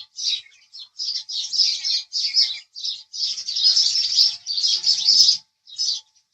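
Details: House sparrows chirping: bursts of bright, scratchy chirps, high-pitched and overlapping like several birds together, broken by short pauses, with a faint steady hum underneath.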